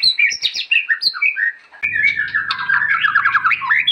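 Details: Vigorous white-rumped shama song meant for tutoring other shamas: quick varied whistles and chips at first, then a long rapid warbling run over a faint low hum.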